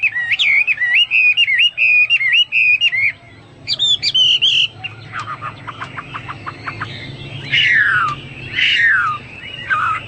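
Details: ['Hwamei belting out a varied song: a fast wavering whistled trill, a high buzzy phrase, a quick rattle of clicky notes, then loud downslurred harsh calls, with a faint low hum beneath.']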